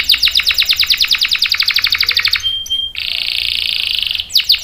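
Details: Canary singing for training and luring young males: a rapid repeated high trill, a short clear whistle, then a long buzzy sustained note before the trill starts again.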